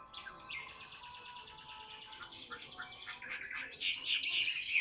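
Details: Tame caged Chinese hwamei, a big bird described as singing very often, gives a quiet rapid rattling run of pulsed notes for over two seconds, then bursts into louder rising and falling whistles.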